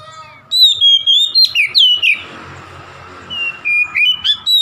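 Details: Song of an oriental magpie-robin, played to rouse a rival bird: rapid run of bright whistled phrases with sharp upslurs and falling slides, a short noisy lull, then more clipped whistles repeated about four times a second.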